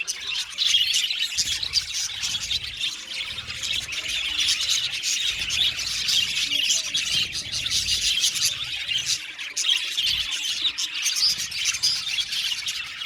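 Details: Australian budgerigar colony in an aviary, continuous singing and chirping from many birds: dense high-pitched twittering, warbles and short squawks layered without a break.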